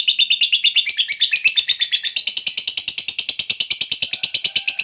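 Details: Captive lovebird in a long, unbroken chattering run called ngekek panjang, given to call companions: rapid harsh chirps, about three per second, continuing steadily, slightly higher toward the end, with no other sounds.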